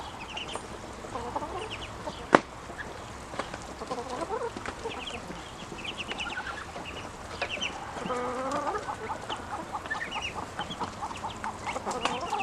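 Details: Ducklings, now larger and noisier when hungry, make a mix of sweeping mid-pitched calls and high chirps in overlapping bursts, with one sharp knock near the start.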